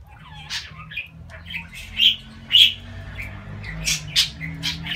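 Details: Talking pet budgie with endearments like "babacık" and "cici kuş" in its repertoire; quick, uneven run of sharp chirps and squeaky notes, two louder peaks near the middle, over a low background hum.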